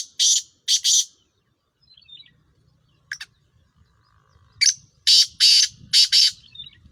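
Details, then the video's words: Sindhi Sheedi Chiringa crossed with Sindhi Kala Tetar (black francolin) calling: loud, harsh, buzzy bursts in quick pairs and groups, separated by short silences, with faint low rumbling in the background. "Sindhi Sheedi Chiringa Cross Sindhi Kala Tetar Awaz"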